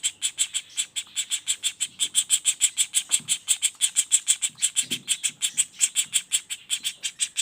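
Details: Juvenile common flameback calling non-stop in rapid 'roll speed' style: harsh, buzzy notes repeated about three times a second in a steady run, with a faint low murmur underneath.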